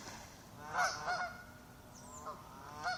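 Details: Ducks near a lake shore give warning calls as they swim away from an arrival: a few rough honks, a close pair first, then two more spaced out, against faint hiss.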